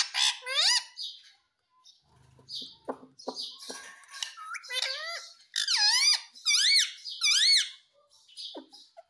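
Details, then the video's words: Talking rose-ringed parakeet from India mimicking "mummy papa": scattered clicks and soft notes, then a run of loud, harmonic, arching syllables repeated about once a second in the second half. "Mummy Papa Bolne Wala Tota || Talking Parrot || Sweet Ringneck Parrot Talking"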